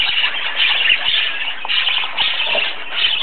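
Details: Baby parakeets beg for food from their parents with a steady, raspy, hissing chatter, rising and falling in waves, while a person speaks softly nearby.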